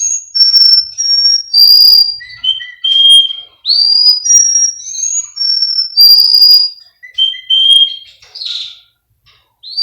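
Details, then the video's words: Song of a bred Russian canary in Miami, Florida, made as a training recording: a string of pure whistled tones stepping between pitches, rising slides and short sustained notes, separated by short pauses, no other sounds. "Canary Singing Birds sounds | Melodies Russian Canary Bird Sounds"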